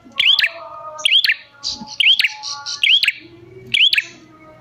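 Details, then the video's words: Persistent bar-winged prinia calling, played to make prinias reply; rising whistled chirps wrapped in clicks, about one per second, with a brief buzzy higher note mid-sequence and light background hum. "Pancingan Prenjak Gacor Jamin Prenjak Malas Bunyi Langsung Nyahut"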